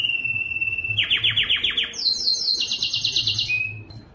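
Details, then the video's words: A Belgian canary sings a level whistled note, then a quick series of sharp downward-swept notes, followed by a high rapid trill that steps lower and ends with a short whistle. "som do canario belga"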